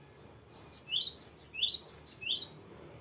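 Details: Gelatik batu, the cinereous tit, singing a long varied roll: bright paired notes, high then lower and slurred, repeated about ten times at a fast, even pace over two seconds against a quiet background.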